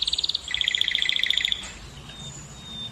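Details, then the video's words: Canary singing, a song to stir females to breed: a short rapid trill of clear, bell-like repeated notes lasting about a second and a half, then quiet. "الكناري المجنون سبحان الله أفضل صوت لتهييج إناث الكناري وحثهم على الزواج"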